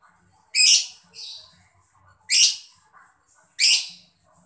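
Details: Harsh, scratchy chirps from a mocca lovebird, used to get other birds singing. Three loud rasping notes come about 1.5 seconds apart, each followed by a softer echoing chirp.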